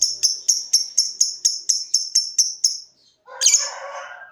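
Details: Lovebird ticking: about ten sharp, high clicking notes spaced evenly roughly a quarter second apart, then a brief silence and a harsher, broader rasping burst.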